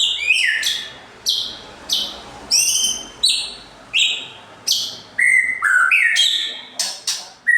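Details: White-rumped shama singing as a provoking lure: rapid varied phrases of whistled notes and sharp chips, roughly one burst every second, rich and bright throughout.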